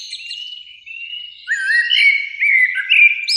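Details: Eurasian blackbird song, two birds in a springtime beech tree by a sunlit evening lake: a thin sustained whistle, then loud wavering fluted phrases in quick succession, capped by a sharp high upward squeak.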